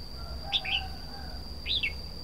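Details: Red-whiskered bulbul giving short, clear whistled phrases with up-and-down slurs, one double note followed by a single arched note, over a faint constant high whine.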